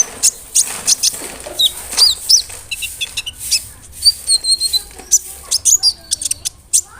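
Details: Brown-throated sunbird used as a lure to make other sunbirds more aggressive: scattered high, clipped chips and brief chattering runs of sharp notes, some thin whistled phrases, over a hissy background.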